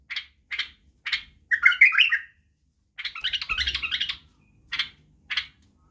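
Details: Song of a white-eared bulbul, known as Badrawi, used to train young bulbuls in singing, barwaz and wing snapping. Crisp isolated clicks alternate with two rich warbling bursts, a brief one then a longer rolling phrase, in a quiet setting.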